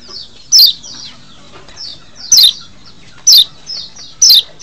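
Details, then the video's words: White-eye from Lombok, used as a lure to excite wild birds: bright downward-sweeping high chips roughly every second, with softer fainter notes between them. "masteran untuk mancing birahi burung kecial di alam liar"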